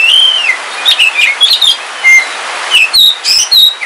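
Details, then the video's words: Captive oriental magpie-robin of the black Kalimantan form, a house-kept bird singing on a rainy day: clear whistled phrases, a long arched whistle then short sliding notes and sharp chirps, steady rain hiss beneath. "Suara Kicauan Ketika Hujan - KACER WULUNG KALIMANTAN"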